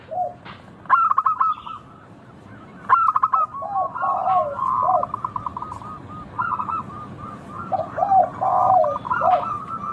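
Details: Zebra dove of a local strain singing clearly: sharp, rapid stuttering coo phrases, then long runs of bubbling trilled notes, with a second, lower-pitched dove cooing alongside throughout.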